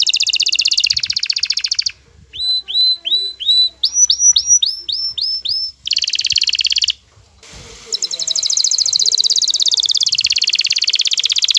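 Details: Aroused male canary courting a female, which answers with calls: fast high trills broken by short pauses, then a series of clear whistled notes rising in pitch, followed by more rolling trills.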